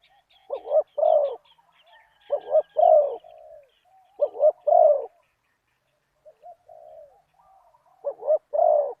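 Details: Spotted dove used as a decoy to call a target bird, in a deep-voiced '1 kuk' style. Four low, husky coo phrases, each a quick double note then a longer rolling coo, with faint high chirps of other small birds behind.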